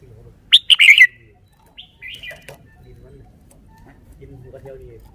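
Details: A red-whiskered bulbul in a cage sings a loud, quick phrase of clear, lilting whistles, followed by two softer downward-sliding notes. Distant low calls from other birds are audible behind it.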